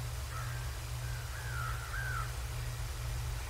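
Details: Bald eagle calling at the Decorah North nest on a January 2024 morning: faint, drawn-out, wavering squeals that slide up and down in pitch, heard over steady low-frequency camera hum.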